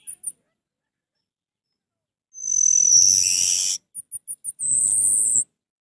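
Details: An orange-headed thrush song played to provoke a reluctant thrush into singing: a harsh, scratchy burst, then a quick run of four thin, very high chips and a sustained piercing whistle.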